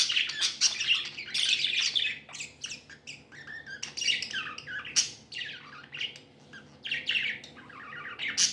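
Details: Tame pet budgerigars, described as happy, chirping indoors in a small room: a continuous jumble of harsh squawks, rapid chatter and short warbled notes, several overlapping, with no other clear sounds.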